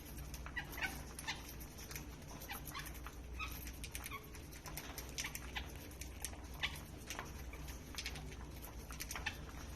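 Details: Green lovebirds in Bangladesh, playing and feeding, give many short sharp chirps and clicks in quick irregular bursts, several birds overlapping, over a steady low hum.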